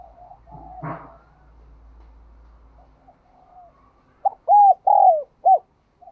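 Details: Spotted dove cooing in the bell-voice style known as giọng đồng kim or đồng chuông, loud and ringing: a burst of four mellow hooked coos near the end after soft distant cooing and a brief knock.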